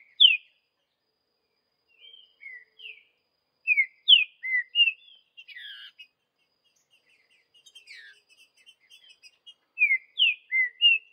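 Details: Green-winged saltator singing in the wild, a song style known as Vidigal: short, clear whistled slurs, some rising and some falling, given in quick bursts with pauses. A buzzier, broken phrase comes in the middle.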